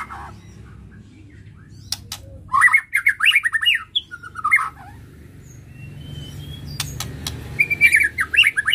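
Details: White-rumped shama (murai batu) provoked to stir emotion: dense bursts of rapid, buzzy, slurred whistles, a brief pause, then another fast chattering run, with clicks and a low hum behind.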